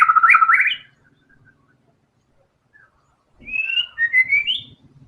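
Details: White-rumped shama: a loud, fast whistled run of stepped notes that ends abruptly, followed after a pause by softer rising and falling slurred whistles; faint low rustling in the background.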